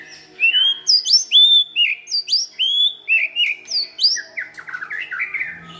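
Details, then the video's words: A white-rumped shama sings to train another shama; this tutor bird is one of several with good voices, used to give a selected bird a varied song. Clear, fluting whistled notes, many sharply rising then falling, in rapid sequence, ending in buzzy trills. "NÀI CHÒE LỬA | Đào tạo THANH cho lửa chuyền"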